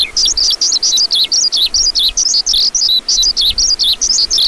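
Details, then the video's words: High, rapid lark warbling in regular bursts, each packed with quick rising and dropping chirps, the bursts following one another almost without pause. "Lark Calling Sound"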